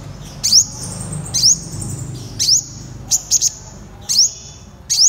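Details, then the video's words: A Purple Sunbird (Cinnyris asiaticus) gives short, very high, thin sharp notes, each a quick rising squeak with a buzzy tail, about one per second over faint low background hum. "Tiếng chim Hút mật họng đen chuẩn mp3 | Purple Sunbird"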